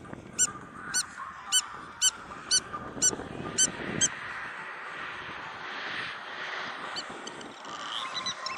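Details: Spur-winged lapwing on a beach at Marsa Alam, Egypt; a run of eight rapid, piercing metallic notes, roughly two per second, then the calls stop and only rustling, wind-like noise remains.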